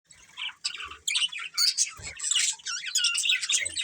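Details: Pet budgerigars chirping: a dense, continuous stream of rapid high warbles and chatter, with short squeaky notes overlapping throughout and a few faint low thumps.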